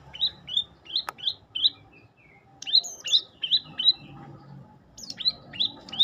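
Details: Singing olive-backed tailorbird: bursts of bright, high-pitched chirps rising then leveling, given in rapid clusters with brief gaps, one sharp click near the start, quiet low rumble behind.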